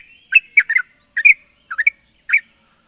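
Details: Yellow-vented bulbul lure song: a few separate bubbly two-note chirps spaced about half a second apart, clear over a faint steady high tone.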